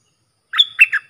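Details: A short burst of bulbul song is used to train young birds. Three quick, bright whistled notes are followed by the start of a fourth.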